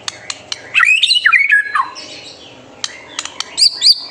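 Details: Full-voiced white-rumped shama song meant to stir young birds to sing: scattered sharp clicks, then a rich rolling whistled phrase with wavering slurs, followed by a pause, more clicks and two high thin whistles.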